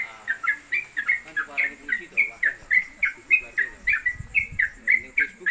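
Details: Yellow-vented Bulbul, locally trucuk, a caged tutor bird known for lasting 'konslet kemedol' song. An unbroken chain of quick, bright downslurred whistles repeats about four times a second over background talking and a steady high hum.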